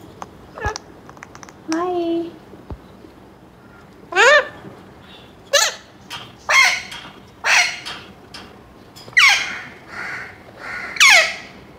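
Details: Seven-month-old male pet Alexandrine parakeet talking in the morning after waking, expressing happiness with loud, incomplete words. It gives harsh, raspy squawks and chattering phrases about one per second, after a few brief short notes.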